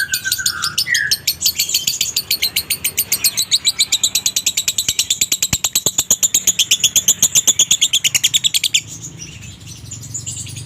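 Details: Dry-toned konslet minor lovebird singing, intended to provoke other lovebirds' doubled song: two brief lower whistles open a long, rapid trill of sharp high chirps that speeds into a buzzing rattle before breaking off near the end.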